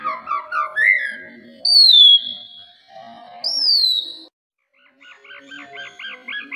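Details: Oriental magpie-robin song used to prompt other birds into singing: clear whistled notes, some rising and some sliding down, with two long bright whistles, then a quick repeated warbling run of short notes.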